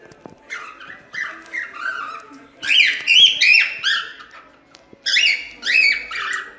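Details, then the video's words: Cockatiel song for teaching young birds: slurred whistles and chirpy warbles building into louder repeated phrases, roughly three notes a second. "CALOPSITA CANTO TREINAMENTO PARA ENSINAR FILHOTES - CANTO DO PÁSSARO CALOPSITA ENSINANDO FILHOTES"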